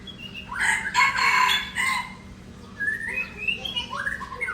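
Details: Red junglefowl from Aceh, an F1 decoy bird, gives a loud, harsh crow of about one and a half seconds made of several broken, rising-and-falling bursts. Afterwards, thin, higher chirps from small birds continue over a faint background hum.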